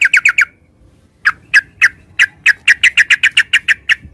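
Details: Yellow-vented bulbul, called trucukan in Javanese: a quick burst of four sharp chirps, a pause of almost a second, then a steady series of about fifteen clipped, bright notes repeated several times a second.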